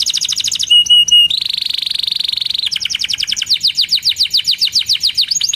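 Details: Lively canary song: a rapid pulsed phrase, then a sustained rattling trill, then quick runs of falling whistled notes repeated several times per second.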